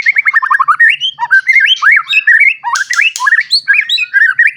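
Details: White-rumped shama singing at full strength, a recently moulted bird used to spur young and adult shamas to sing: rich varied whistled phrases, rolling rising and falling notes interspersed with harsh squawky bursts.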